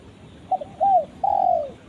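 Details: A spotted dove (tekukur) calls to its companion: a clipped double note, a rounded coo, then a long, slightly descending coo, mellow and low-pitched.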